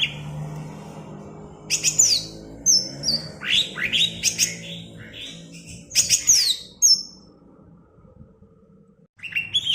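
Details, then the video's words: Bebeci song of a cucak ijo (greater green leafbird) from Alas Purwo, Banyuwangi: varied high sweeping whistles, sharp downslurred chips and quick note clusters separated by brief silences. "Suara Bebeci Khas Cucak Ijo Alas Purwo Banyuwangi"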